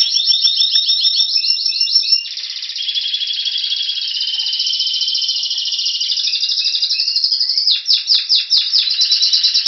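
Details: Spanish Timbrado canary singing in February, waiting for spring, in Anavissos near Athens, Greece: dense metallic rolling trills and rapid repeated notes, switching between fast chattering tours and sustained buzzy rolls, no other sounds.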